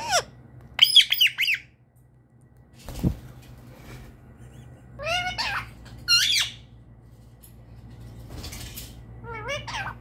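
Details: Pet Indian ringneck parrot that says "mitu mitu": short, sharp, rising squeaky phrases in scattered bursts, with a knock and a person speaking afterward, indoors.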